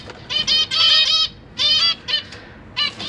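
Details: Caged zebra finches, a pair of parents with three juveniles and three newly hatched chicks, recorded 12 September 2023 while the parents feed their young: loud nasal, harmonic-rich call notes in bursts, several in quick succession, with pauses between.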